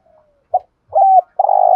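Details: Cu gáy, a spotted dove, in the 'thổ sấm' voice style. A brief soft note, then a longer coo, then a sustained, slightly pulsing low coo that is cut off at the end.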